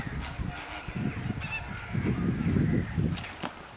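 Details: Magpie goose at Slimbridge giving irregular honking calls, several a second, mixed with low thumping bursts of noise and faint higher calls from other birds nearby.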